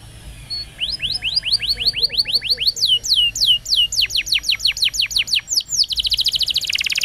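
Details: Canary roll song meant for training young canaries, opening with a soft note, then a long series of sharply falling whistled notes at about three per second, ending in a fast high buzzing trill.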